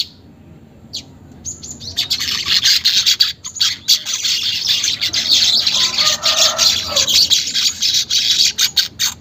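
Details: Caged-weaver stimulation track, unedited: after a near-silent first second, a long, dense, high and buzzy chattering song continues for eight seconds with small breaks and rhythmic pulses.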